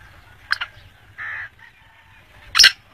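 Black francolin giving harsh, grating notes: a quick scratchy double note, a steadier rasping note, then a loud, coarse burst. A low hum lies underneath.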